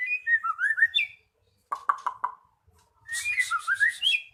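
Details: Magpie-robin song used as a lure to get a silent bird singing again: rich whistled phrases sliding down and up, a short burst of harsh rapid notes in the middle, then a bright chattering whistled phrase.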